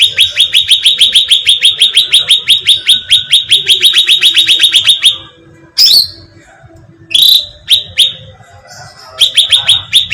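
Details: Cucak ranting bulbul bait call: a long, steady string of quick high chirps lasting about five seconds, a pause with two sharp descending notes, then the chirping resumes.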